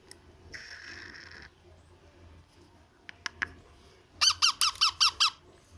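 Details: A baby parrot at feeding time gives a steady whine and a few sharp clicks, then a rapid run of six harsh, squeaky begging calls.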